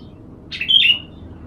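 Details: Sooty-headed bulbul, the kutilang, being sunned as therapy and kept as a lure; a single quick slurred whistle, rising then dropping, clear against faint background hum.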